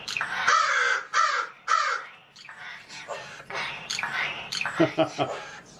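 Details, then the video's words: Pet magpie, a male, talking and imitating human speech in a cheeky mood: raspy, word-like phrases with harsh, harmonic syllables, followed by softer muttering and a few clicking notes. "Pie the talking Magpie Is back In Action!"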